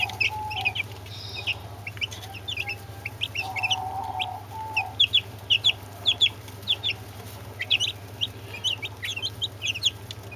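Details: Brahma chicks together with two Orpington chicks giving short, high, rising peeps in quick irregular bursts, several birds calling at once over a steady low hum, with brief mid-pitched tones in the background.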